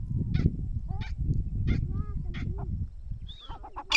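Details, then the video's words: A partridge (teetar) gives harsh, scratchy notes repeated roughly every two-thirds of a second, over a steady low rumble, with a few thin whistled tones near the end. "teetar ke awaz"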